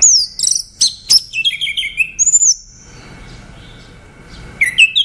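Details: Song of an orange-headed thrush: a rapid jumble of high squeaky notes sliding downward, a clear descending whistle, a quiet stretch, then a few sharp notes at the end.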